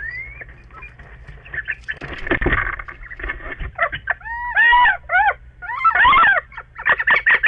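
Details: Two little owls indoors in a bedroom, 29 March 2013, Netherlands, give nasal, arched mewing calls in a few quick clusters of two or three notes, with indoor rustling and bumps early on.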